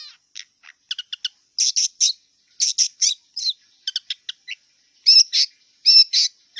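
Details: Wild long-tailed shrike singing: a varied, scratchy run of short harsh notes and clicks with brief mimicked phrases, bursts grouped irregularly over several seconds, high-pitched throughout with no other sounds.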